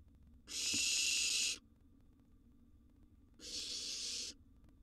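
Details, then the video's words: Wild barn owl nestling in a monitored nest box begging at mealtime, a gerbil brought as prey: two long harsh hissing screeches, about a second each, separated by a short pause, over a quiet background. "Owl Nestling's Mealtime featuring a Sizeable Gerbil"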